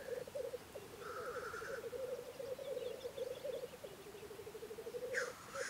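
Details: Black grouse lekking in Russia in spring; continuous low bubbling, cooing rookoo runs without pause throughout, broken by a short hiss early on and a sharp sneezing whoosh near the end.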